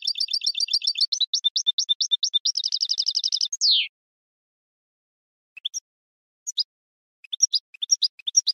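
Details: A goldfinch sings a rapid chirping series, then a dense buzzy stretch and a falling slurred note. After a pause come scattered single high chips and twitters.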